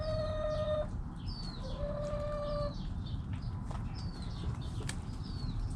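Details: Backyard chickens, hens clucking and roosters crowing: two long, level, strongly harmonic nasal notes, each near a second, separated by a pause, with scattered clucks, sharp high small-bird chirps and a steady low hum behind.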